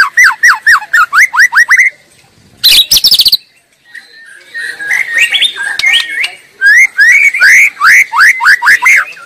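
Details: Wild white-rumped shama singing vigorously in its natural habitat: quick series of repeated falling whistles, a harsh burst, then softer mixed notes, before the falling whistle series returns.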